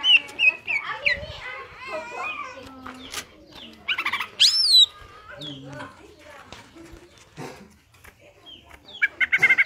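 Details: Greater green leafbird in vigorous ngentrok song, recorded as a master reference for other birds. Varied warbled phrases with looping high slurs and scattered chattering notes, separated by softer pauses, and a final burst of rapid high notes.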